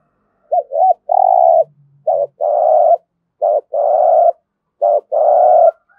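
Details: Spotted dove's 'giọng thổ' cooing, played to stimulate a dove to coo: four phrases, each one or two short notes leading into a long, steady, low purring coo, repeated about every 1.3 seconds.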